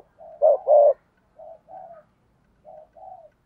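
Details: Decoy spotted dove coo for luring wild doves: a loud pair of low coos, then quieter, softer paired coo notes repeating twice after short pauses.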